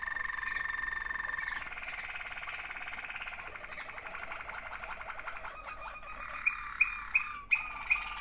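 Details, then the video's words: Two Waterslager canaries, brothers, sing a long soft rolling trill that slowly changes texture, closing with five sharp, high clicking notes spaced under half a second apart. "waterslager 2 αδερφάκια."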